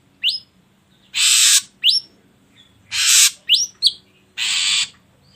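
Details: Lure recording of an ashy drongo, played to get other birds singing: bright rising whistles alternate with three long, loud, scratchy hisses in an uneven rhythm, over a faint low hum.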